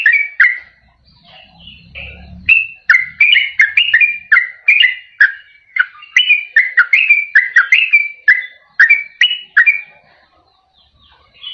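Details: Sooty-headed bulbul song used as a lure to attract wild bulbuls or coax quiet caged ones into singing: a brief low rumble, then a fast run of liquid whistled slurs, dipping and rising, about three per second, ending in silence.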